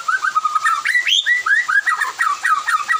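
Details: White-rumped shama singing in the afternoon as others answer; a dense string of loud, rhythmic slurred whistles, about five notes a second, with a higher upswept note in the middle.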